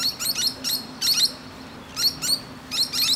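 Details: Musk lorikeet sitting peacefully on a branch and chatting with other birds, giving sharp, high-pitched screechy notes in three tight clusters separated by pauses of about a second; a low steady hum sits in the background.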